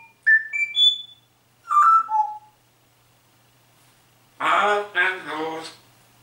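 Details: Rudi, a pet grey parrot that talks and sings phrases such as "Grüß Gott" and "Servus", gives two bursts of clear stepped whistles, then a harsh, speech-like voice in three quick syllables, indoors.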